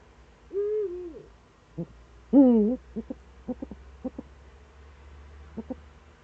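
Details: Eurasian eagle-owl, Eifel, morning of 26 September 2013: a wavering, arched call, then a louder, rich, rising-falling call, followed by a scatter of short clipped notes, all over a steady low hum.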